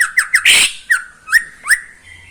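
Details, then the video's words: Caged greater green leafbird in Indonesia in the morning giving sharp downward-slurred chip notes, a loud harsh rasp, then more single slurred whistles spaced about every half second. "Kicauan cucak ijo di pagi hari"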